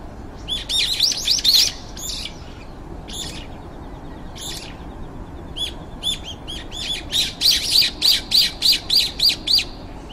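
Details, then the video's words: Brown-eared bulbul in a garden, one of about five waiting their turn to feed, gives harsh, screechy notes, first in scattered bursts, then a steady run of about six loud shrieks, roughly two per second. "Bulbul エゾヒヨドリ"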